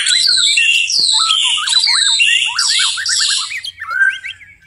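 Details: White-rumped shama singing at night, a loud varied run of rich whistles, sweeping slurs and quick chattering notes, phrases tumbling one after another with high buzzy trills over them.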